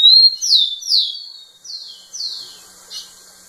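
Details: Rufous-collared sparrow performing song toward a female: an opening level whistle, then a run of downward-sweeping whistled notes that grow quieter, ending with a faint short note.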